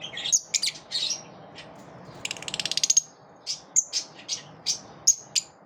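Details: A group of lovebirds repelling one another: shrill high chirps and squeaks in bursts, with a quick ratchet-like run of clicks in the middle before more sharp chirps.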